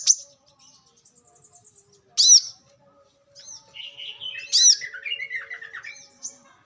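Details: Wild brown-throated sunbird recording used to lure and train birds. Two strong arched chirps break up a rambling, twittering sequence of high thin notes and lower warbled phrases that slide downward.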